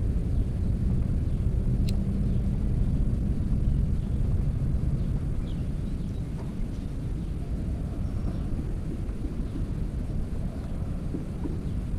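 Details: Steady low rumbling roar like wind or a passing engine fills the recording throughout, with no animal voices heard.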